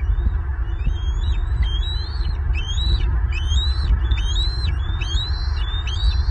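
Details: Southwest Florida bald eagle family on 5 April 2023, two fledglings reunited at the nest after squabbling by the pond; a rapid series of high, chittering whistled notes, each rising then dropping, repeats steadily above a constant wind rumble.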